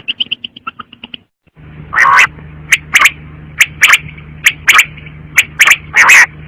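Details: Brief soft chirps, then a pause, then loud repeated quail bursts over a steady low electrical hum.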